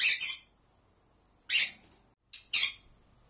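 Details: One pet Pearly conure's contact calls: three rough, raspy squawks, the last preceded by a short clipped note, with silence between them.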